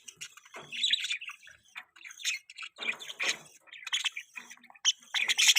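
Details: Budgies kept as pets, chirping: quick scratchy chirps and short warbled notes in uneven bursts with brief pauses, several birds overlapping.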